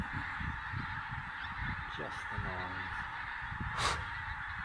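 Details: A huge flock of Pink-footed Geese, reported as about 45,000 birds, makes a steady wash of high, yelping honks, with people talking over it and some wind rumble.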